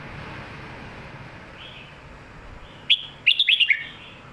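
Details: Red-whiskered bulbul singing the lak wai and mae bot style: a steady hiss of background noise, a faint soft note, then one clear whistle followed by a quick string of four bright upslurred whistles.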